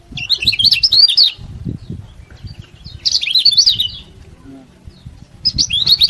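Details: Yellow-bellied prinia in vigorous song, played to excite rivals and get idle prinias singing: three bright bursts of rapid, high, warbling chirps, roughly two seconds apart, over soft low background knocks.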